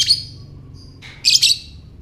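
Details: Ngekek-style lovebird call meant to stir other lovebirds: a sharp shrill chirp, a brief thin whistle, then a rasping double burst of high chatter.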